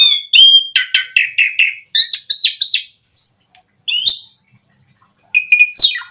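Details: Asian pied starling singing, meant to prompt other starlings to sing: a run of repeated harsh chattering notes, then a long silence, a single rising whistle, and a final burst of chatter.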